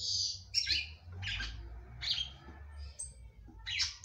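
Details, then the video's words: Female red-cowled cardinal kept by a breeder, singing to encourage the male; spaced short high chirps roughly every half second over a low steady hum. "FÊMEA DE GALO DE CAMPINA CANTANDO MUITO PRA FOGUEAR SEU CAMPINA."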